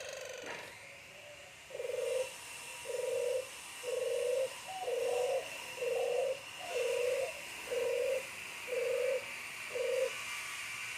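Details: Barbary dove being paired for breeding, cooing steadily: ten short, level, hollow coos repeated about once a second, after a brief knock at the start and over a faint high background hiss.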